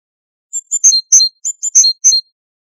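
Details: Great tit singing Waydani-style song from a tutor recording for captive great tits and goldfinches: one short burst of about eight sharp, high, alternating chirped notes in quick succession.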